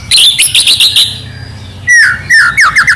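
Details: White-rumped shama singing in trotol gacor style: a quick burst of high chirped notes repeated about six times in the first second, then after a pause a series of loud, descending whistled slurs.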